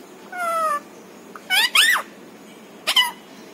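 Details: Household parrot that speaks words and imitates a meow; a drawn-out, slightly falling tonal note, then two rough rising squawky syllables and one short closing call.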